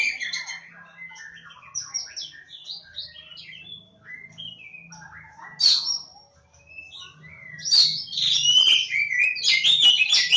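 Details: Oriental magpie-robin (Kacer Jawa) from Lebakgowah sings a varied run of whistled phrases, soft and sliding at first, then louder with sharp rising and falling notes near the end, over a faint low hum.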